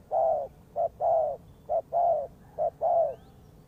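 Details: Lure call of a spotted dove for trapping: three clear pairs of deep, soft coos, a clipped note then a drawn-out purring one, spaced evenly, with faint hum behind.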